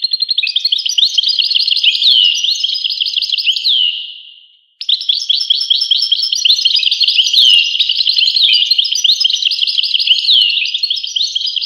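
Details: Goldfinch song as a dense, high twitter of rapid chirps and slurred notes. It fades out near the middle, falls silent briefly, then breaks back in abruptly and carries on just as busily.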